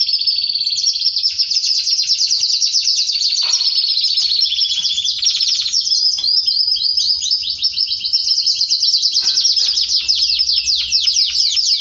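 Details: Canary song said to prompt a male to mate with its female; a continuous high, rapid stream of chattering trills and quick rising-falling notes, with a brief buzzy passage partway through.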